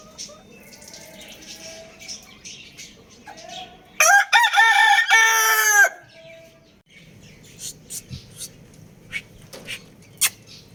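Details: Crowing Lohmann Brown rooster, one loud rasping cock-a-doodle-doo held for about two seconds, preceded by faint chirps and a low hum, followed by scattered clicks and small-bird twitters.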